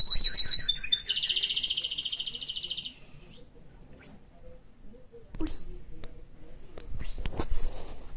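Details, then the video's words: A mixed-breed pet songbird sings a fast, bright, evenly pulsed trill of high repeated notes for about three seconds, then falls quiet under low room noise with a few clicks and knocks. "ZAPATITOS Cantando"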